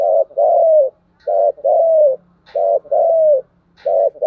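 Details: Cooing Spotted dove, each phrase a brief coo then a drawn-out descending coo, repeated steadily about every 1.3 seconds; a faint low hum sits underneath.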